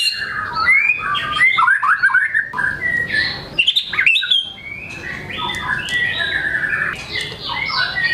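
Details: Energetic White-rumped shama song showing off its learned repertoire: quick slurred chirps and upward flicks, a pair of sharp loud notes mid-phrase, then a chattering run of mixed notes.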